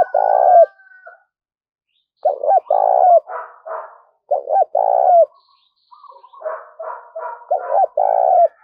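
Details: Decoy spotted dove cooing to lure other doves. Low mellow phrases of two short notes and a longer purring coo with a falling end, repeated after pauses. Faint thin chirps sound in between.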